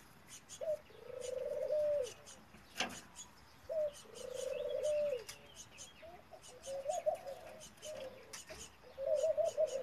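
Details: Male F1 hybrid dove from a male Ringneck dove and a female European Turtle Dove, bred in Italy, cooing repeatedly: low purring coos, each preceded by a short note, followed by more broken, warbling coos, with clicks and soft chirps around.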